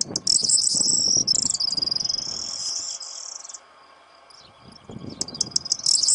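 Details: Courting corn bunting singing near its mate in breeding season, wings shaken when the female is close: a bright, fast, jingling high rattle running over three seconds, a quiet gap, then soft rustling and a fresh jangling burst.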